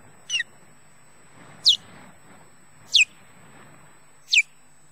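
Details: Nest-defending male osprey at Loch Garten in Scotland, guarding his mate, gives four high, downward-slurred chirps spaced roughly 1.3 seconds apart, each short and clear, with a low electrical hum underneath.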